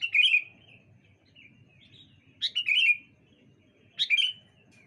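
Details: Sooty-headed bulbuls answering one another on a bright morning: an opening warbled whistle, then soft distant notes, followed by two bubbly phrases, each a high note falling into a slurred, gurgling whistle.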